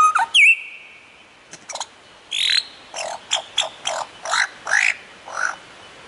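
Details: Lyrebird, the mimicking bird, gives a sharp whistled note that dips and then holds steady. Several faint clicks follow, then a run of about eight short, harsh, buzzy bursts at uneven spacing.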